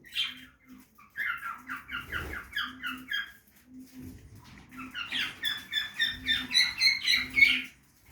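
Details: Budgerigar chatter from a backyard aviary during feeding: rapid series of short chirping notes, several per second, growing into a louder, higher, tightly repeated warble toward the end, over a faint intermittent hum.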